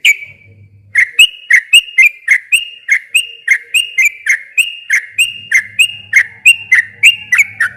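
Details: Sooty-headed bulbul in long, lively rapid song intended to make a silent bulbul answer: a bright whistle, then steady fast bubbly chirps, roughly three per second, over a low hum in parts.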